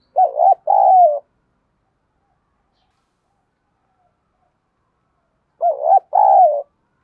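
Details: Spotted dove, a decoy bird cooing all day in the 'giọng Thổ' style, gives two low double-noted coo phrases about five seconds apart. Each is a short wavering note and then a longer falling one.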